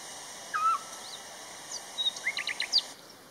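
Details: Eurasian scops owl (Otus scops), call.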